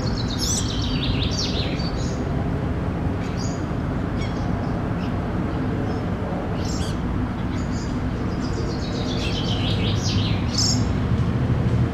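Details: A fieldfare fledgling on a lawn in Helsinki, Finland, in June 2013, calls while stretching its wings. It gives thin, high, squeaky calls in short bursts over a steady low rumble.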